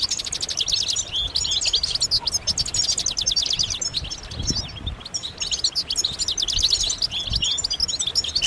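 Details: European goldfinches calling en masse, mating and readiness calls used to rouse males to sing: unbroken, rapid, glittering twitters and trills from many birds, with faint low thuds.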